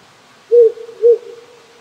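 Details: At night in rural Japan, a wary wild owl that settled in nearby hills this spring gives a pair of low, even hoots half a second apart, followed by a soft fading tail; insects and frogs are silent in the cold.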